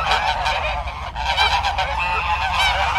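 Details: Farm geese honking together, with dense overlapping nasal honks that blur into a continuous clamour of calls.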